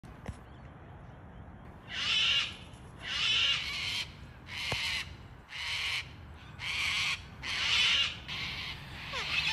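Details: Wild Sulphur-crested Cockatoo in Australia, a local bird that visits every morning: a series of harsh raspy screeches, each about a second long, repeated roughly every second and a half, with a faint high whine early on.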